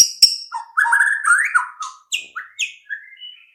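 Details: Rich whistled phrases from a white-rumped shama, used as a lure to make shamas start singing. Sharp clicks give way to flowing, rising and falling whistles and short upslurred notes.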